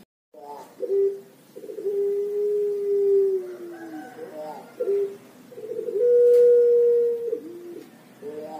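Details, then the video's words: Javan Pelung turtle dove, young, sings its long melodious coo: clipped opening notes, a sustained level hum over a second long, a rolling warble, then a second long note pitched a little higher, indoors with no other sounds. "Puter Pelung Young Age Birds Have a Long, Melodious Voice"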